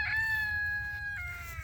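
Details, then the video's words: Free-range rooster on a permaculture demonstration site in Ramona, San Diego County back-country, California, crowing in the background: one drawn-out, harmonic-rich crow that holds level, then steps down and trails off lower, with faint low background rumble. "Hear that rooster in the background?"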